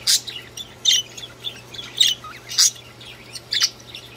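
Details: Budgerigars singing in a run of loud, harsh chirp bursts about every half second, with softer squeaky twitters between them and a faint constant hum behind.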